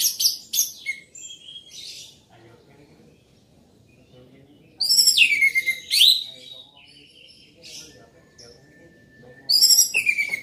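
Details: Loud, continuous orange-headed thrush song in spaced phrases: opening chatter, a long silence, then strong looping whistles swooping down and up, with a last similar phrase near the end.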